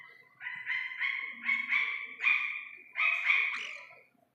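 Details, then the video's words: A young Iranian partridge gives a steady series of about eight bright, harmonic, buzzy notes, roughly three per second, that rise slightly in strength, then fades to silence. "ایرانی تیتر کے بچے کی اصلی آواز"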